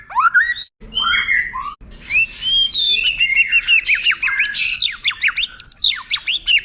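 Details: White-rumped shama tutor song for contest birds: loud opening whistles, a pause, then rising whistles building into fast sweeping, slurred notes.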